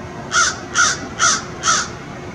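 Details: An American crow caws to other crows in the distance: four harsh, evenly spaced caws about every half second against a quiet background.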